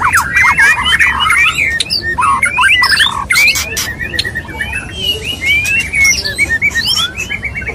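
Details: White-rumped shama male wooing a female: a dense run of clear whistles, rising and falling slurs and short chirps, almost continuous, broken by crisp clicking snaps, faint steady hum underneath.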